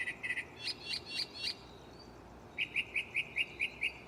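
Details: Night-singing mockingbird in a nearby tree, shuffling song types: a bout of quick doubled chips and sharp notes, a brief pause, then a new phrase of about eight evenly spaced clipped notes.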